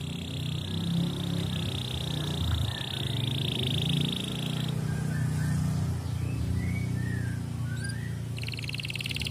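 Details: A canary holds a long, even, high trill for several seconds, adds a few short chirps, then starts another fast trill, over a steady deep hum; song meant to stimulate other canaries to sing.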